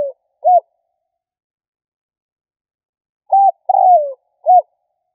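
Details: Spotted dove calling to lure: a pair of short clipped coos, a long pause, then short notes around a drawn-out falling coo.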